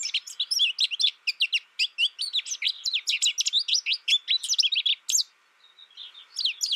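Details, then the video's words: Dense high twittering from a young caged American goldfinch raised without other birds and tutored by a recording: quick chirps and upslurred notes for five seconds, a short pause, then faint notes and renewed chirping. "My American Goldfinch sings a tutor calling birds, goldfinch excitation to sing,goldfinch chirping"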